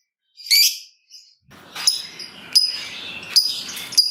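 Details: Lovebird singing to lure other lovebirds, with a long ngekek chatter: one shrill squeak, a pause, then sharp high ticks repeated about every 0.8 seconds over soft hiss.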